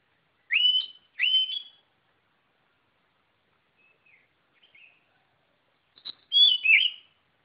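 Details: White-rumped shama delivering two loud rising whistles in quick succession, soft murmured notes during a pause, then a sharp click and a rich, slurred whistled phrase.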